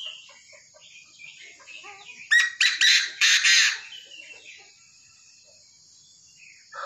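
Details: Tame Chinese francolin calls mid-recording: a loud, rasping run of about five harsh, clipped notes over roughly a second and a half. Faint chirping and twittering from other birds come before and after.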